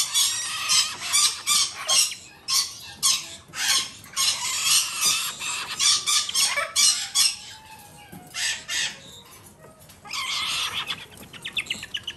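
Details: During hand-feeding, a young female galah bred by a domestic Japanese breeder repeats short, grating begging rasps about twice a second, then pauses briefly before resuming harsh, raspy squawks.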